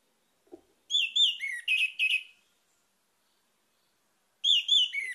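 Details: Orange-headed thrush song played as a lure to get other birds singing: a quick series of clear, slurred whistled notes, a pause of about two seconds, then another rapid run of similar whistles.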